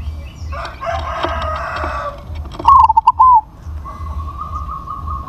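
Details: Crossbred zebra dove (perkutut crossing) with a big voice gives one loud stuttering coo phrase: a high opening note, quick broken notes, then a drawn-out falling coo. A rooster crows earlier and a steady faint tone follows.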